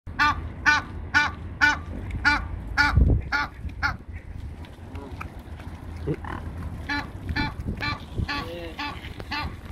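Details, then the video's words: An Egyptian goose on the Great River Ouse gives harsh, nasal honks in quick runs of about two per second while swans are fed, pausing and starting again over a low background rumble. "Egyptian goose mouths off"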